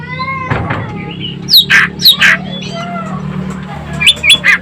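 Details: Asian glossy starling from Sumatra in active, sharp-voiced song: a burst of loud harsh squeaky notes, then softer warbling whistles, and a closing run of three piercing notes, with a steady low hum beneath.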